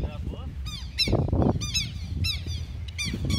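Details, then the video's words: Flock of southern lapwings attacking a person: repeated harsh, ringing, down-slurred cries in quick succession, several birds overlapping, with a loud noisy burst midway and low rumbling background. "Ataque de quero-quero"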